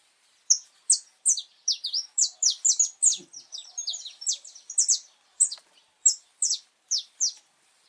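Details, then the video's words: Wild saffron finch in full song on a cold, rainy day, 8 November 2024, before nesting starts. A steady run of high, sharp, downslurred chirps, several per second, briefly tightening into a quick twittering cluster mid-phrase. "Canário da terra cantando muito na natureza"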